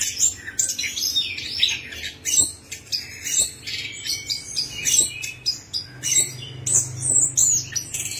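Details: Orange-headed thrush singing in a lure track meant to start a silent bird singing, a fast choppy series of high chirps and buzzy trills over a faint low hum.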